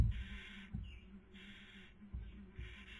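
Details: Barn owl pair at the nest, Cabañeros National Park, Castilla-La Mancha, Spain, 2020 breeding season, female feeding and male attempting sleep; three long harsh hisses about a second apart, soft thuds between.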